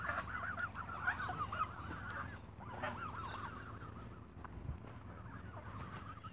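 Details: At an evening feeding with bread, squabbling geese honk in rapid, irregular bursts, about three calls a second. The calls are loudest at the start, then the crowded chatter continues more softly.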